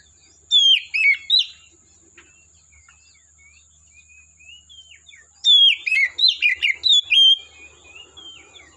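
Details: Wild Oriental magpie-robin singing in the forest: two bursts of loud, sweet whistled phrases with rising and falling slurred notes, separated by a quiet gap with faint softer notes; a steady high thin tone runs throughout.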